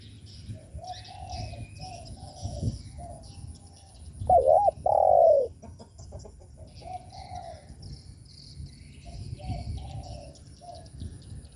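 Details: Spotted dove cooing to provoke other doves: one loud wavering coo and a long hollow note in the middle, surrounded by quieter, more distant coos and soft background rustling.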